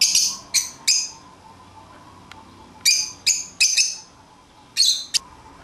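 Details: Several short, shrill, buzzy shrieks from pet lovebirds out of their cage, three in quick succession, a pause, then three more and a final pair, all loud and high-pitched in a quiet room.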